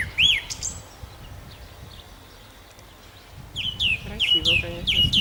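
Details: Nightingale in Nosivka, Ukraine, 1 June 2014, singing a looping whistle, then a quiet pause with faint distant notes, followed by a fast run of sharp, repeated clicking whistles; low background rumble throughout.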